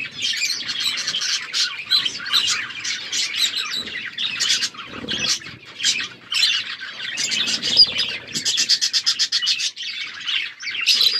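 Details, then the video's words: Budgerigars chattering in an aviary: many birds at once giving fast warbled chirps, buzzy trills and short squawky notes in a steady, lively stream without pause. "Wild parakeet in aviary budgies chirping"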